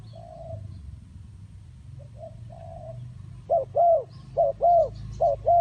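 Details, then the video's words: Spotted dove cooing at a trapping lure: faint drawn-out coos at first, then a loud run of rounded coos in short groups, with a quiet outdoor background. "The Sound Of Spotted Dove is so good"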